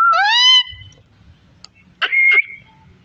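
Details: Parrot kept as a pet, eating melon seeds: a loud rising harmonic whistle, a faint click, then a short rasping warbled note, with low room hum beneath.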